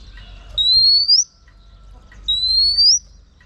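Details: Female oriental magpie-robin whistling to urge on a male: two long, pure, steadily rising whistles, each under a second, about two seconds apart, with quiet background between.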